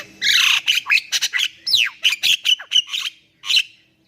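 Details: Javan myna sound meant to spur silent birds to sing: loud, harsh squawking bursts mixed with a swooping downward whistle, then a string of clipped, scratchy notes fading out.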